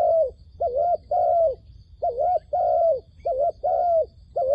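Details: Caged decoy dove used for trapping, cooing in rapid short-then-long pairs, the short note wavering and the long one sliding down, closely repeated throughout over a low hum.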